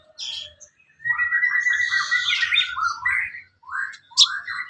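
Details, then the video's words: Sooty-headed bulbul, known locally as sogon, singing as fill-in training material for songbirds: a long slurred warble sliding downward, then short rising whistled notes and a sharp high chip near the end. "MASTERAN BURUNG SOGON MATERI ISIAN"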